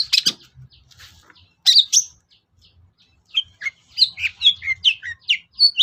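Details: Lure song of a long-tailed shrike (cendet), used to stir a quiet bird into answering: harsh scratchy bursts, then a lively run of short twittering notes that rise and fall.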